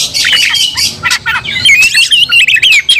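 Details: Aggressive Oriental magpie-robin, roused to fight and setting off a rival's anger, pours out rasping buzzy notes, then a clear whistled phrase of rising and falling slurs, loud and unbroken.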